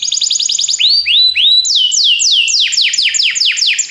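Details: Belgian canary song for prompting other canaries to sing: a fast high trill, several rounded rising-then-falling whistles, then a long sequence of sharp downward-sweeping notes delivered rapidly and loudly.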